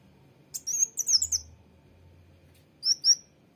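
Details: Sunbird, named locally kolibri wulung or mucang trotol, giving a rapid cluster of thin, high, warbling twitters, then after a pause two short sliding chirps, over a quiet low hum.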